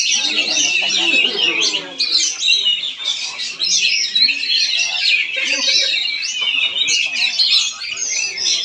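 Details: Oriental magpie-robin in a song contest, Palangkaraya, Central Kalimantan, Indonesia: continuous high, rich warbling with quick trills and squeaky whistles, people speaking underneath throughout.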